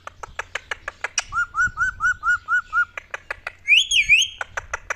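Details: Pet ringneck parrot, said to be angry and fighting: sharp clicking notes, then a run of seven short, evenly spaced whistled notes, a loud wavering warbled whistle, and more clicks, with a person speaking Hindi nearby.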